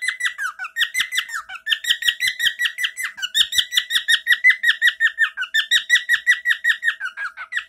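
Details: Indoor male pet bird chirping his frequently sung favourite phrase: a long, almost continuous stream of crisp, high, downward-flicking chirps about three per second, alternating between two pitch levels.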